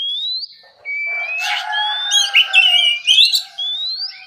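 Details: Relaxed morning ngeplong song of an oriental magpie-robin, used to set off rival birds into replying. Long rising whistles open and close a richer middle of warbled, slurred notes over fainter lower steady tones.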